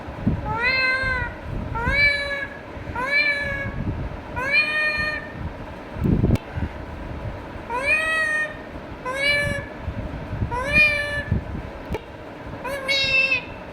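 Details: Indian ringneck parakeet chattering to itself in a steady series of about ten arching, meow-like nasal calls roughly one per second, with a sharp click midway and faint low rumble beneath.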